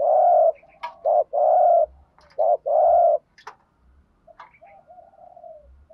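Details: A decoy spotted dove gives its early-morning luring call: a long coo, then two short-long pairs of deep hollow notes. Quieter distant coos, clicks and low thumps follow.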